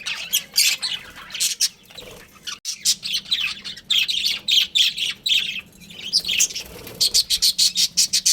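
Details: Budgerigar breeding pair kept at home, chirping steadily in rapid high notes with brief pauses, ending in a quick regular series of sharp chirps; a low hum runs beneath.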